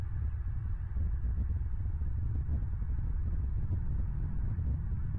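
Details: Low, continuous throbbing rumble like passing traffic, with no animal sound present.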